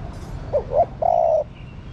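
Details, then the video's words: Single phrase from a female spotted dove calling to rouse the male: two short swelling coos and a longer steady, slightly buzzy coo, low in pitch. "Cu Mái Thúc Trống. Chim Cu Gáy Mái Thúc Trống Nhạy Bén. Tiếng Chim Cu Mái Gáy Kích Bổi"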